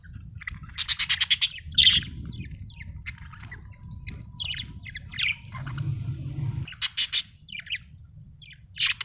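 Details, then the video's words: Budgerigar, described as an Australian bird, chirping: scattered bursts of harsh, buzzy chatter and short squawky notes in quick clusters, with pauses between, over a low background rumble. "budgie chirping sound"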